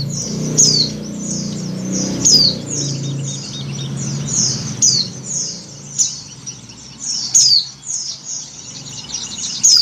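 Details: Oriental white-eye female, in breeding condition, calling to a male. Rapid series of thin, high, falling chirps and twitters, with louder sharp notes every one to two seconds, and low rumbling background noise early on.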